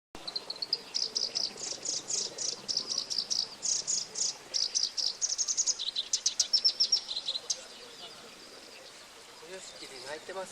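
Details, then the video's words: Black-browed reed warbler singing: a fast, scratchy chatter of high, varied notes mixing buzzy trills and short clear whistles. It runs in dense bursts for about seven seconds, then gives way to quiet background with faint distant sounds. "野鳥動画 「コヨシキリ」 Ⅱ"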